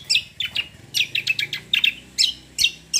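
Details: Kecial kombo (cucak kombo) sings busily in roll tembak style, a quick stream of high, sharp chirps and short whistled notes in uneven bursts.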